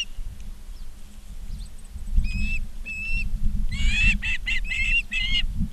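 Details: Ospreys at Charlo, Montana, on a live nature cam, 19 August 2023, afternoon: two thin whistled notes, then a burst of harsher, buzzier chirps repeated about five times, with rumbling wind throughout.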